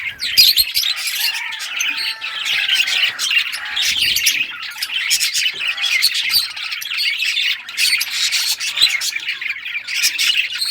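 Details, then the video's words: Pet budgerigars, all rare colours, chirping as they play with toys on 18 June 2023; long run of layered twittering and warbling chatter, with a thin whistled note early on and a brief lull midway. "Budgies all rare colors playing and chirping sounds playing with toys"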